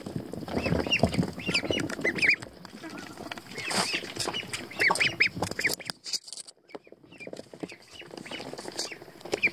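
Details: Young American Pekin ducklings, still without feathers, swimming together in a tub of water: many thin, high, rising peeps repeated rapidly, over steady splashing and water noise.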